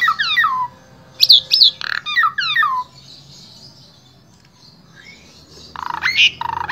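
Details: Asian pied starling, Central Java, Indonesia, rich varied song meant for tutoring starlings: tumbling descending whistles, squeaky high notes and harsh nasal bursts, a quiet stretch with a soft rising whistle, then rasping notes again.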